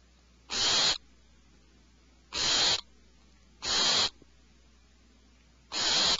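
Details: In a nest cavity, alarmed owlets screech four times. Each call is a grating, hissy burst of half a second, spaced irregularly over six seconds.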